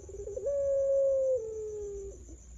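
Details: ['Champion puter pelung (Barbary dove) coo used as a lure recording to get other doves singing: a few quick stuttered notes, then one long, clear, level hoot that sinks gently before fading; steady faint high electronic tone beneath.']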